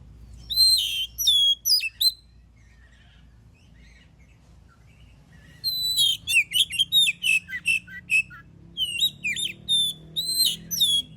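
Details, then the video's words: Oriental magpie-robin singing to provoke other birds into song, with two bursts of rich, rapid whistled and chirped phrases separated by a few seconds of near silence. "Suara burung kacer gacor paling ampuh buat pancingan"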